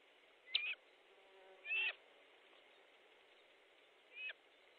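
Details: Osprey calling at its Estonian nest as a fish is delivered, midday 14 July 2014: three separate sharp whistled calls, each a quick bright slur, spaced over about four seconds against a constant hiss.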